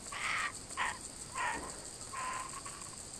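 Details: Kookaburras back again, recorded on GoPro Hero 3D and Fujifilm W3 cameras. Four short, hoarse, chuckling notes, each about half a second long, are separated by brief gaps, against quiet background hiss.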